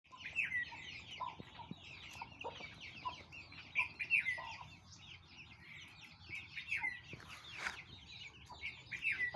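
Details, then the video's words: Aseel chicks giving a dense chorus of high, thin peeps and down-slurred cheeps, many birds calling over one another continuously, with a few lower clucking notes beneath. "Aseel chicks"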